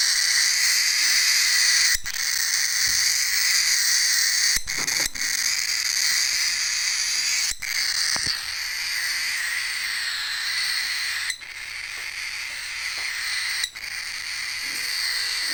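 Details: A hungry, angry young cockatiel chick (pet named Rocky) gives a steady, raspy, hissing begging chatter while waiting to be hand-fed.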